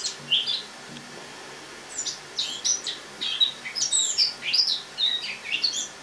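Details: Caged Eurasian blackcap's autumn song recorded indoors on 1 October 2017; a couple of opening chirps, a short quiet spell, then a quick sequence of bright, clear whistled and chipping notes.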